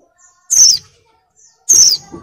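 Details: Two piercing, descending whistled notes about a second apart from a female oriental white-eye in breeding mood, calling to bring in a male.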